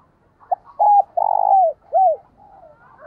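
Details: Decoy spotted dove cooing to provoke other doves into calling: a short opening note, then a run of low, mellow, hollow coos, the longest drawn out for about half a second, with a quiet background.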